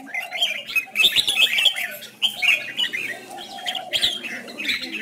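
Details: Red-whiskered bulbul in competitive singing used to excite other birds: short, lively warbled bursts roughly every second, with fainter lower notes between.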